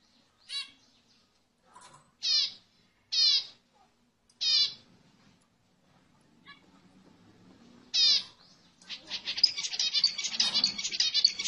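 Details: Zebra finch song, played to stimulate females to mate: short nasal, harmonic beeping calls spaced a second or more apart, then a dense, buzzy, rapid song burst in the final seconds.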